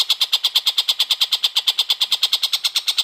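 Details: Long-tailed shrike, called tengkek buto, in full song used as master material for white-rumped shama training: an unbroken train of grating, chattering notes repeated very rapidly and evenly, about eight per second.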